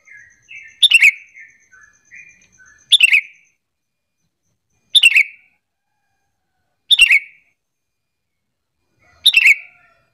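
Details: Sooty-headed bulbul calling to provoke replies from other bulbuls: soft warbled notes at the start, then loud short chirpy bursts repeated roughly every two seconds.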